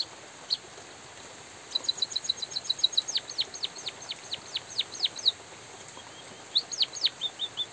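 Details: White-headed munia singing vigorously with natural pauses over soft drizzle noise: a few high thin notes, then a quick run of short high chirps sliding into a series of sharp downward-slurred whistles, repeated about twice a second, ending with more clipped chirps.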